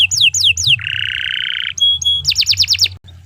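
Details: Canary song recorded for training other birds, uploaded June 2023: descending whistled slurs, a steady buzzy rattling trill, two clear flat whistles, then a fast series of dropping notes.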